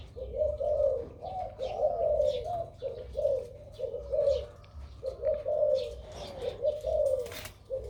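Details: A big-voiced crossbred dove delivers its two-to-three 'kuk' karam song: a long string of deep, bubbling coos grouped in short runs, with brief high twitters from other birds.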